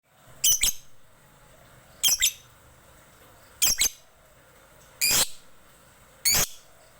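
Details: Lovebird calling to other birds, which answer: five loud, harsh, shrill screeching bursts, each under half a second, spaced about one to two seconds apart, over a quiet background.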